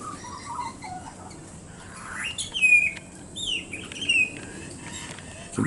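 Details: A young pied butcherbird fledgling, visiting with a parent in the morning in January, warbles as it tests its voice: soft varied whistled phrases, some rising and falling, with brief brighter notes, over low background hum.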